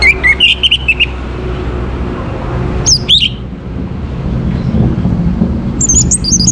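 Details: An Orange-headed thrush in a morning recording for bringing birds into breeding condition delivers short, scattered high whistled phrases separated by long pauses, against fairly loud low-pitched background noise.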